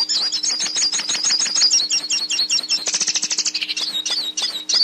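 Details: Song of the hooded siskin, used to train a caged bird. Quick bubbling high twitters run on, broken near the middle by a brief dry buzzy rattle, then clear whistled slurs. A low hum is faint in the background.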